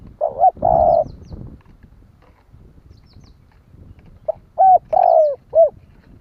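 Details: Spotted dove coo used to trigger other doves' calling: a hoarse hoot phrase with low rumbling noise behind it, a quiet gap, then a clear phrase of clipped notes, a long falling hoot and a short final coo.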